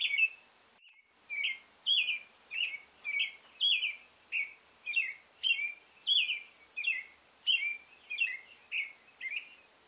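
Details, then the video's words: Male American robin singing a steady carol of short, clear whistled phrases that rise and fall, barely pausing between them, over quiet background hiss. "American Male Robin Singing"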